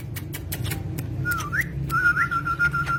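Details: Pet talking parrot holds a long, level whistle with brief rising flicks, preceded by clicking taps, over a low steady hum.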